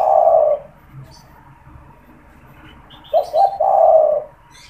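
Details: Caged spotted dove in Indonesia that calls often, especially when people are near its cage, used to lure wild doves and stimulate them to call. A long low coo ends, then after a pause two quick notes lead into another sustained hollow note.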